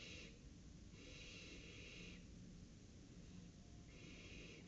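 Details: Barn owls at the nest, night of 23 July 2018, owlet's first flight; wheezy hissing bursts of about one second, three in a row with short gaps, under constant background hiss.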